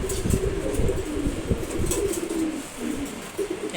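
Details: One-month-old racer pigeon chick that can already fly well, giving low, throaty coos and soft grunting notes in short irregular bursts, with faint background hiss.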